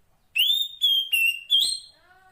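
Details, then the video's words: Wild female Oriental magpie-robin calling a male: four strong whistled notes in quick succession, the first rising, the others level or gently falling, then a faint lower trailing whistle. "Suara Kacer Poci Betina memanggil Jantan"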